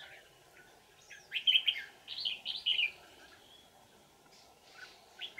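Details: Old wild red-whiskered bulbul during decoy trapping, 20 December 2018, sings its bell-voiced twisting song: a run of loud, bright, looping whistled notes in two bursts, followed by quieter scattered notes over a steady hum.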